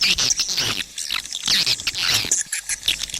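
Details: Swiftlet chirps come in loud high bursts separated by short lulls, over a soft low rumble.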